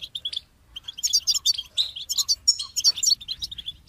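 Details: Goldfinch song: rapid twittering of short, high, sharp notes in bursts, a pause near half a second, then denser tinkling phrases mixing buzzy and clear chips.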